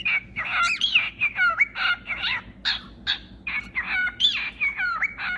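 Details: A cockatiel chatters in a busy stream of harsh chirps and screechy, warbling slides, some notes swooping upward, delivered at a fast irregular pace.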